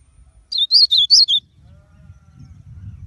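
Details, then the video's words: Short song phrase from a blue-black grosbeak: four or five clear, high slurred notes run together in under a second, then a faint low background rumble. "azulão o papa capim??"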